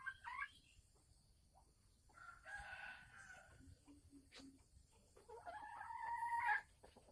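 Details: Female red junglefowl from Sumatra, caged, voicing her pre-laying cackle in December 2020: brief harsh notes, a rasping phrase midway, low clucks, then a rising, strained cackle near the end.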